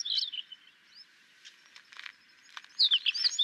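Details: Tawny lark, known as Sykes's lark, in Gujarat, India, giving a short twittering phrase. A quiet stretch with faint clicks and rustles follows, then a bright, sharp burst of chirped notes closes the song.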